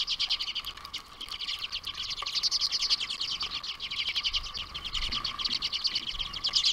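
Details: Common redpolls (Acanthis flammea) at a winter backyard feeder in boreal Ontario twitter in a dense, continuous chatter of rapid, dry, buzzy notes, many calls overlapping, over a faint steady hum.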